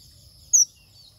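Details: One brief, shrill, high-pitched chirp from a male manh manh bird worked up into intense singing, otherwise only a soft low background rumble.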